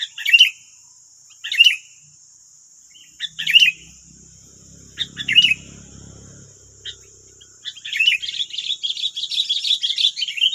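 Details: Wild sooty-headed bulbuls answering a decoy bird in West Lampung, Indonesia: short bubbly chirped phrases at irregular intervals, then a quick run of chattering notes near the end, over a steady high insect drone.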